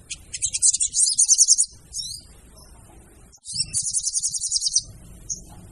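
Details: Lure call of a female sogon, or crimson sunbird: two bursts of sharp, very high, rapid chattering trills separated by a quieter pause, with an isolated thin note at the end.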